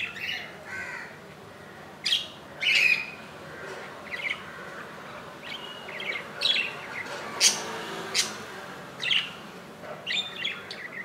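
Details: Budgerigar nest with a newly hatched chick, about an inch long, on its second day after hatching on 15 July 2018 at 2 AM; bright chirps and squawky notes come in irregular bursts, some doubled, over low background hiss.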